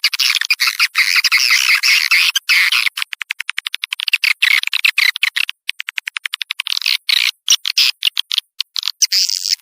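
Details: Attraction call for swiftlets: a buzzy twittering passage gives way to fast trains of dry clicks, with occasional chattering bursts mixed in.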